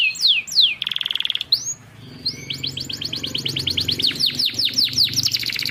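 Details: Canary song used as a training recording to set stalled canaries singing: two swooping whistled notes, a brief rattling trill, then a long run of quick rising and falling chirps with faint low background rumble.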